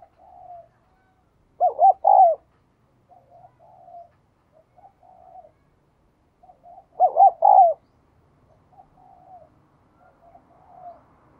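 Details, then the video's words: A spotted dove coos twice about five seconds apart, each phrase two brief hooting notes and a longer descending croon. Quieter, distant coos fill the gaps. "cu gáy"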